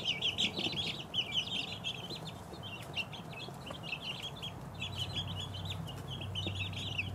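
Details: Two-week-old chicks chirp in a busy, overlapping stream of short high peeps, roughly three a second, while a low steady hum rises in the second half.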